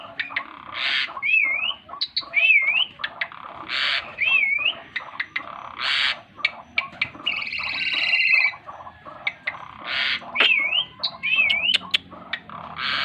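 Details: Asian pied starling singing in lively gacor style while flapping its wings: harsh buzzy bursts alternate with wavy, looping whistled notes and sharp clicks, delivered in a varied, restless stream.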